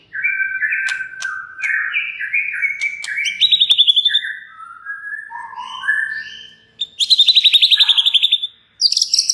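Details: White-rumped shama pouring out varied song to provoke rival shamas to answer: clear stepped whistles, fast buzzy trills repeated in bursts, descending slurred notes, and a loud high rattling trill near the end.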